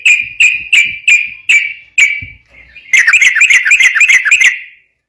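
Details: Sooty-headed bulbul in ropel singing, used to prompt untrained bulbuls; spaced bright whistled notes about every third of a second, then a dense rattling flurry of quick chirpy notes.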